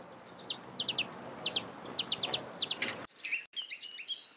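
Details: Broad-tailed hummingbird calling with quick, very high, dry chips in paired and triple clusters, then a thin shrill trill with softer twittering notes near the end.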